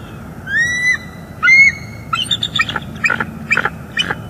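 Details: Pair of wild bald eagles at their nest on a live cam in northeast Florida, morning of 29 September 2021; male attempts to mate but female refuses and they call back and forth. High slurred whistles, then rapid staccato chattering notes.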